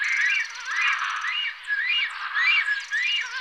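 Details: Black stork giving loud, wheezy, rising-and-falling notes, repeated roughly every half second in an uneven rhythm, with faint high buzzy sounds in the background.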